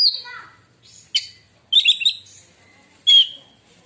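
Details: White-rumped shama song said to make other shamas fall silent: scattered sharp whistles and chattering bursts, with quiet gaps between short phrases.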